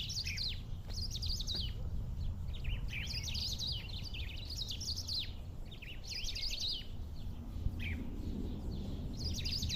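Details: Wild black-throated saltator in rural surroundings singing short, fast bursts of sweet, tumbling, up-and-down notes, each phrase separated by brief pauses, against a constant low background hum.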